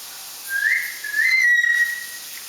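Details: A 1-year-old pet Solomon Island eclectus parrot, encouraged to talk and sing, gives two clear, pure whistles, the first short and level, the second longer, rising slightly then holding steady; nothing else heard.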